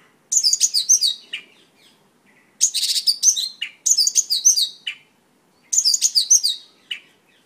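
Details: A Mongolian lark (Melanocorypha mongolica) sings bursts of rich, high, chattering and whistled notes in phrases about a second long, repeated with short pauses.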